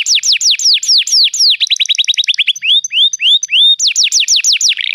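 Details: Canary song played to get a quiet canary singing: quick falling slurred notes in series, a speeding trill, then rising upslurs spaced about half a second apart, ending with fresh rapid downslurs.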